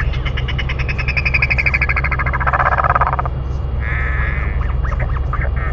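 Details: Royal albatross pair feeding a chick in New Zealand; a loud rapid pulsed rattle with bright harmonics runs for three seconds, then a sustained wavering tone and short notes, over low wind roar.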